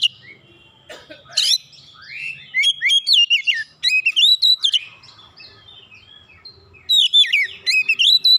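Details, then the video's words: Oriental magpie-robin singing hotly with open beak: varied whistled phrases with slurred rising and falling notes, quickly repeated in several bursts over a quiet background. "KACER LAIN CEPAT TERKOMPORI MEMANAS GACOR BUKA PARUH BONGKAR ISIAN"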